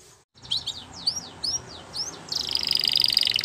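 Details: Belgian canary song used for training: a few high rising whistled notes spaced about half a second apart, then a dense shimmering trill, all over steady broadband background hiss.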